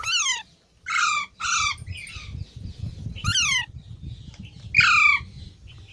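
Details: Baby parrots squawk repeatedly in harsh, rasping calls that slide downward, mostly singly and sometimes in quick pairs, with short gaps between them. A low rumbling background runs throughout.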